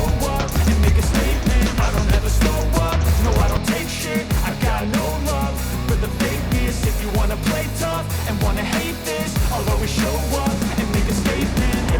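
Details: Loud, steady pop-rock music with heavy bass, drums and some singing fills the whole stretch, with no animal calls audible.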